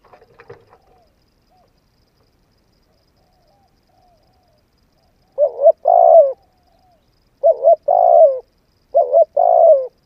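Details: Spotted dove cooing to stimulate and train a decoy bird: after a brief faint rustle and near silence, three low two-part phrases arrive, each a short wavering double coo followed by a longer, slightly falling coo.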